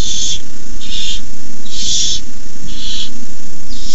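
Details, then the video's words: Young barn owls hiss in the nest box as a parent delivers a rabbit at night, May 2015; four broad, rasping hisses with short gaps, steady low hum beneath. "Owlets hiss."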